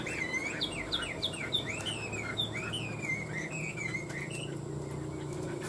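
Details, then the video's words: Competitive song from two tame caged Chinese hwameis kept three years: a rapid series of clear, looping whistled notes, each sliding down then up, repeated several times a second, fading into softer phrases with faint clicks behind. "Họa mi hót đấu cánh đuôi đẹp - 2 em thuần 3 năm lồng"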